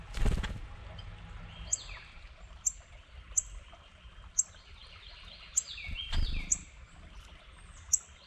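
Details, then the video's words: Red-bellied woodpecker acting territorially: repeated slurred notes sweeping down in pitch, often in pairs, with sharp very high chip notes from another bird and a few soft thumps. "RED BELLIED WOODPECKER gets territorial"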